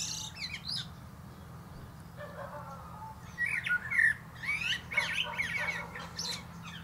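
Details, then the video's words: Common blackbird on a plum tree: after a quiet, hissy stretch, a rich whistled phrase rises, followed by scratchy, high chattering notes and a low background hum. "Song of Songs"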